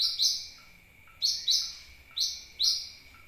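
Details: High piercing sunbird chirps, given as paired notes twice in quick succession, sounded as a lure to draw birds in, with a faint continuous high whine behind.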